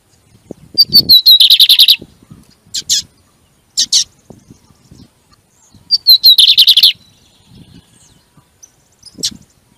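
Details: Lined Seedeater song used to fire up a kept bird during management: two bursts of rapid, high buzzy trills, each opening with a sharp whistled note and racing through quick repeated notes, separated by short chips and soft low knocks.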